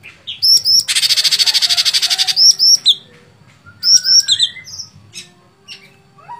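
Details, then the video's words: Sooty-headed bulbul song: a dense, buzzy rattle of rapid repeated pulses runs for about two seconds, then gives way to crisp high whistled notes in quick groups and a few quieter slurred calls. "Cucak Cungkok Gacor Fighter"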